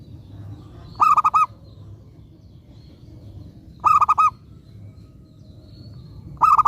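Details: Local zebra dove used as a decoy to draw replies from other doves; rolling cooing phrases of four pulsed notes repeat roughly every three seconds, clear over a quiet humming background.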